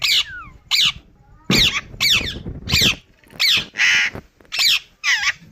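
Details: Indian ringneck parrot kept as a pet, repeating sharp, grating squawks about once every second, each a short harsh burst, one sounding noisier and broader.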